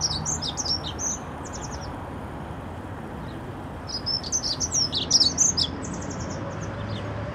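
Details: Dunnock singing in Notre-Dame cathedral's Paris garden: two brisk, high, scratchy warbling phrases, the second louder and longer, separated by a pause, with distant city rumble beneath.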